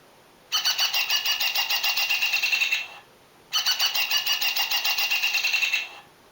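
A Hairy Woodpecker gives two long, rapid rattles of sharp, high notes, each about two seconds, like a fast laugh, with a pause between.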